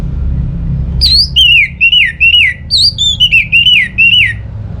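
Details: Orange-headed thrush song: a run of loud, slurred whistled notes, each rising then dipping, repeated about twice a second with high sharp overtones, over a steady low rumble.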